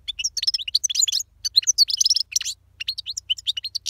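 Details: Goldfinch, subspecies parva, singing strongly with a tumbling, unbroken jumble of high, quick chirps, slurred tweets and short twitters, barely pausing; a slight low-pitched hum sits in the background.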